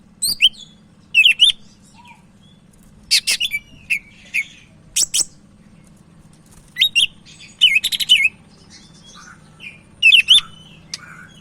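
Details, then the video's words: Lively cak ijo Medan, the Sumatran leafbird, recorded to provoke and tutor other leafbirds: irregular phrases of buzzy chatter and looping whistles, repeated through the passage with short pauses. "Burung Cak Ijo Medan Gacor"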